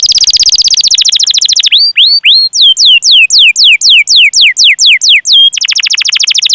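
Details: Canary training song for young or silent birds: a rapid rolling trill breaks into evenly spaced, falling cuit-cuit whistles, about two per second, then a new fast roll begins.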